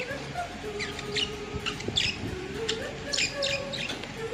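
Budgerigars warble in a busy stream of chirps, clicks and scratchy notes over a low background hum.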